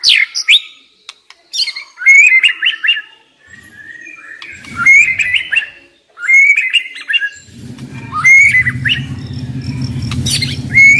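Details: White-rumped shama decoy bird delivering varied song phrases of slurred whistles and sharp notes, separated by short pauses, with a low rumbling background noise in the latter part.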